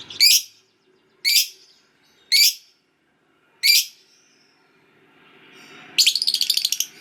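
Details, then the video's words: Lovebird, fighter type, giving four loud, shrill, harsh screeches roughly a second apart, then after a pause a brief burst of rapid rattling chatter. "Lovebird Macet Bunyi Langsung Ikut Ngekek Panjang"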